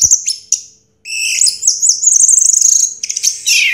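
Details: Song of a 2022 first-prize Orange-headed thrush: two sharp chirps, a pause, then a fast, rich warble of rolling trills and squeaky whistles ending in a buzzy descending phrase.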